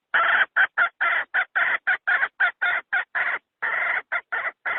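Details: Decoy hen call used by trappers to draw wild fowl, a steady run of about sixteen short harsh clucks, nearly two per second and somewhat uneven, with a brief pause near the end. No background sounds.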